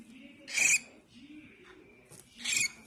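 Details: Baby cockatiel giving two short, harsh, raspy squawks about two seconds apart, with a soft low murmur running underneath.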